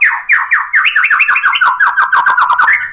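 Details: Energetic white-rumped shama song packed with sharp imitated fill phrases, meant as a lure for other birds: a fast series of descending slurred notes repeated about five times per second, reedy and even.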